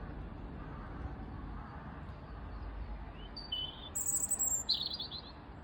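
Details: A robin singing from up high, seemingly as if it were spring, gives a few thin, high, quick, varied warbling phrases in the last two seconds, over a steady low rumble of background noise.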